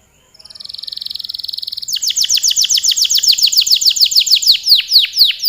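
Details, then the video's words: Long canary song opening with a rapid even trill that swells in volume, then breaking into quick repeated descending whistled sweeps, several per second, bright and high, against a quiet background. "Suara burung kenari gacor kicau panjang"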